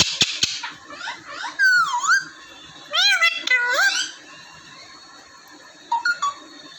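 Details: Talking household parrots, two raw and one normal parrot, in Vehari, Punjab, Pakistan: clusters of wavering, swooping harmonic notes, some dipping low, then a few faint short calls near the end.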